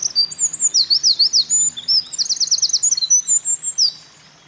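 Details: Eurasian wren singing energetically at a mountain pass, 28 April 2024, during nest building; a shrill, fast series of high notes with two rattling trill passages pours out for about four seconds, then ends sharply into silence.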